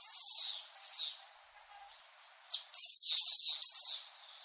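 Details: Common swift calls: short shrill trilled screams, a pause of quiet, then a loud cluster of piercing screeches in quick succession.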